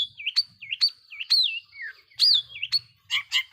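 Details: Long-tailed shrike singing a lively lure song to provoke rival shrikes: a varied run of clear whistles, sliding and looping up and down, with sharp high ticks between them, then ending in a burst of quick rough notes.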